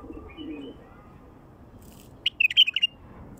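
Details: A wild bulbul gives one quick, chattering, whistled phrase of several tumbling notes near the end, after quiet background murmur. Song used to attract wild bulbuls.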